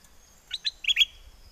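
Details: Caged bulbul from Songkhla's Chana area in southern Thailand, mate-calling in wild song style: two quick chirps, then two fuller, slurred notes, with a thin, steady high tone running behind them.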